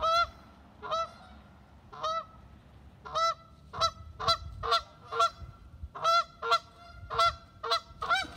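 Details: Canada goose calling to another goose: loud, nasal two-part honks, first spaced about a second apart, then quickening into a rapid run of repeated honks, over a faint low background rumble.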